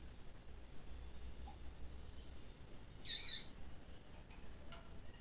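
A female double-collared seedeater gives a single short, harsh, high chip over a steady low rumble of background noise.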